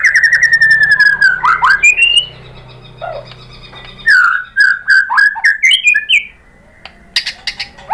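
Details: White-rumped shama song as a lure so other shamas reply: a fast trilled run sliding down, rising whistles, a pause, then a string of short varied whistled notes and sharp clicks.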